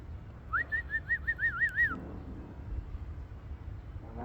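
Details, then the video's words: Ringneck parrot, described as talking, producing a warbling whistled phrase that wavers rapidly up and down for about a second and a half, then stops, leaving low room noise. "ringneack parrot 🦜 talking"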